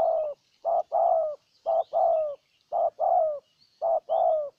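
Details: Decoy spotted dove from Ninh Thuận, Vietnam, calling to win over a wild bird. Four paired phrases, each a clipped coo followed by a drawn-out, gently falling coo, repeated about once a second.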